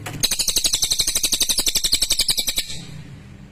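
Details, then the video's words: Lesser green leafbird singing a long, clear and sharp chattering run of roughly twenty-five rapid, rasping notes at an even pace for over two seconds, with a low hum underneath. "SUARA CILILIN JERNIH TAJAM !!"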